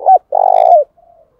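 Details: Spotted dove decoy bird giving a loud, rolling coo meant to stimulate wild birds. A short, sharp first note is followed by a longer, throbbing coo and a faint trailing tone.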